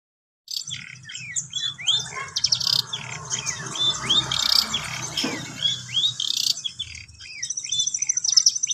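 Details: Long-tailed shrike learning to perform its song: a dense, fast chatter of varied high chirps, slurred whistles and scratchy notes running almost without pause, over a faint low hum.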